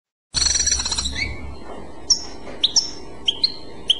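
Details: European goldfinch song in the Clochette style: a dense burst of high twittering notes, then scattered sharp chirps at intervals over faint background hiss.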